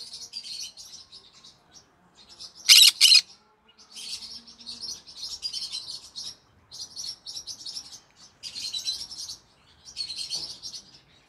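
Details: Pet green-cheeked conure parrot chirping in the evening: rapid, rasping high chirps in uneven bursts, with one loud harsh double screech near the third second, then more scratchy chattering phrases separated by brief pauses.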